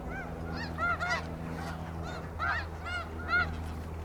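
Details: Snow geese calling at Iona Beach in British Columbia, a handful of clear, separate nasal honks with bent, arching tone, spaced about half a second apart over a faint low hum.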